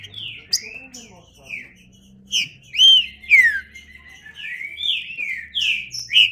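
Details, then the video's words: Green-winged saltator song: downslurred whistled notes in quick succession, a loud arched whistle and a sharp slur near three seconds, then more phrases over faint low sounds. "Trinca Ferro (cantando)"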